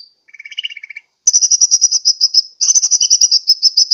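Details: Sunbird lure call from Pajampangan, Sukabumi, Indonesia: a short chattering run of lower chirps, a brief pause, then fast trains of thin, high, sharp notes repeated several times a second in two bursts.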